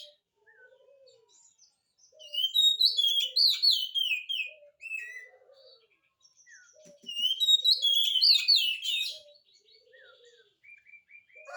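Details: Oriental magpie-robin song used to prompt reluctant birds to answer: two bursts of rich, varied whistles and chatter, with quieter soft notes in the gaps.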